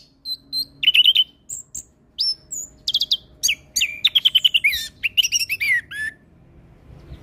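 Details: Orange-headed thrush in energetic full-imitation song, played to train and lure young birds: rapid clear whistles and trilled runs, rising and falling, with quick repeated chips and almost no pauses.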